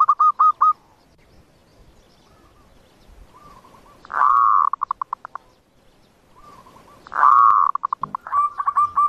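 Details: Zebra dove song for luring birds to traps: short bursts of rapid notes, two loud drawn coos that trail off into fast stuttering pulses, and quieter phrases between them.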